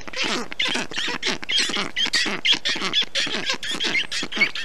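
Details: Black stork chicks in a nest in Estonia, 20 June 2021, calling as a parent cools nest and young with water, moss and wet grass in the heat; rasping, harmonic calls repeated about twice a second, steady and loud.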